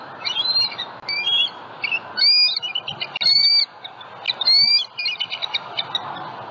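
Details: Bald eagle calling at a Southwest Florida nest holding eggs, morning of February 27, 2020, as a juvenile flies over; live nest-cam recording of high, thin piping notes, several clear downslurred whistles among rapid chatter, roughly once a second.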